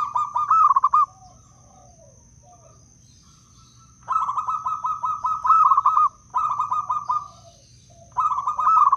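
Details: Zebra Dove, local wild bird from Blora, Indonesia, used to lure other doves and stir quiet ones to sing: long pulsing runs of soft rolling coos, several phrases a few seconds each separated by brief pauses, low steady hum in background.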